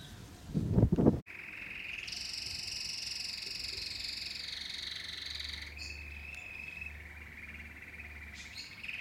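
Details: Domestic canary singing: after a brief thump, a long, steady, buzzy rolled note holds at one pitch for about three and a half seconds, then drops to a softer, slightly lower roll with short higher notes. No other clear sounds.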